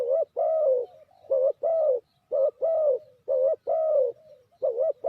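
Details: Spotted dove lure for trapping gives rapid paired coos, five pairs of a short dip-shaped note and a longer mellow falling coo, nearly one pair per second.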